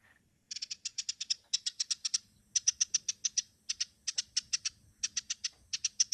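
A kinglet gives rapid bursts of very high, dry chipping notes, five or six per burst, each burst about a second apart, like a clattering typewriter.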